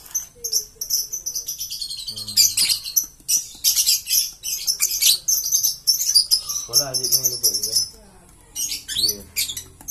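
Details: Green lovebird chatter: dense, continuous shrill twittering and squeaky chirps, broken by a few lower harmonic nasal notes and a brief pause near the end.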